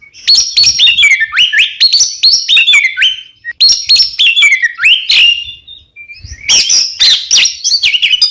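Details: Oriental magpie-robin song used to make caged birds sing: repeated downward-slurred whistles and chattering notes in fast runs, with a short silence before the song resumes even louder.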